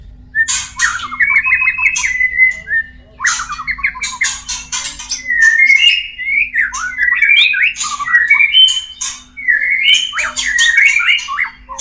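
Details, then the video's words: White-rumped shama singing, played as a mating lure to bring caged birds into breeding condition: loud, continuous varied whistled phrases with harsh rasping notes and sharp clicks, over a steady low hum. "SUARA PANCINGAN MURAI KAWIN PALING TOP ‼️Terapi ampuh murai cepat birahi."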